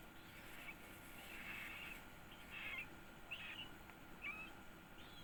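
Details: Yellow-vented bulbul chick, one week old, begging during feeding with brief harsh squeaks repeated roughly once a second, quiet against a constant hum.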